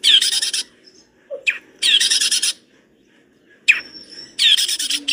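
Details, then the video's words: Gacor long-tailed shrike song used as tutor material: three long, harsh, rasping broadband bursts separated by short pauses, with brief notes between. "Masteran cendet gacor dor isian mewah materi komplit"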